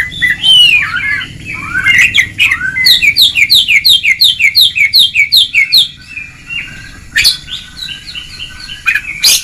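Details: Kacer (Oriental magpie-robin) ngeplong song for training lazy birds: loud upward whistles, then a steady string of repeated bright chip notes for about three seconds, then quieter whistles and sharp clicks.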